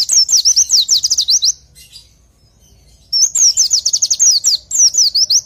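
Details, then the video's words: Oriental white-eye singing, used as a training song for pet birds: two lively phrases of high, rapid, slurred chirps, each lasting about one and a half to two and a half seconds, with a quiet pause between. "Masteran Untuk Pleci"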